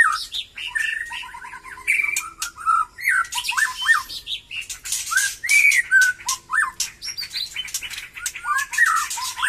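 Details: White-rumped shama of the Batu Kurau strain, singing as it becomes lively again after moulting. Varied clear whistles and slurred notes mix with harsh, buzzy chatter and dry clicking rattles in quick, irregular bursts that rise and fall.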